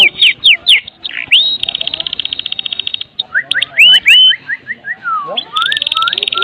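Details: A white-rumped shama of Medan origin in kretekan mode, full of fill-in material, offered as a lure for other shamas: clear rising whistles, a long rapid high rattle, then a string of upslurred notes and descending slurs.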